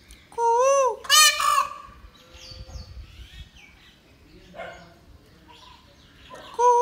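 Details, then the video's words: Indian peafowl (peacock) in an Indian village gives a loud, nasal, wailing cry that rises and falls, then a harsh blaring burst, and calls again at the end, with faint high chirps of other birds between. "Peacock sound"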